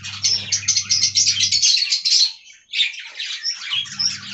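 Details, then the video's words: Budgerigars in an aviary colony, a dense, continuous mass of high chirps, squeaks and warbles, briefly pausing near the midpoint before resuming, over a steady low mechanical hum. "Budgie Talking Compilation: Hilarious and Adorable Moments"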